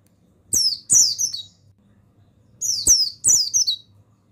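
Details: Stimulation song of a male buxtoni mountain white-eye: two loud, rapid groups of piercing, falling chirps, each group opened by snapping ticks, over a faint steady low hum.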